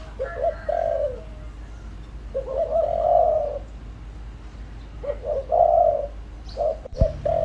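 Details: Lure spotted dove cooing in a full calling routine, short hollow coo phrases of two quick notes then a longer drawn-out coo, repeated about every two to three seconds, with a sharp click near the end.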